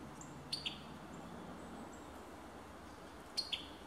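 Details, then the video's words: Alabama summer tanager giving two brief clusters of sharp, clicking high notes about three seconds apart, separated by quiet hissy background. "Beautiful Summer Tanager Songs"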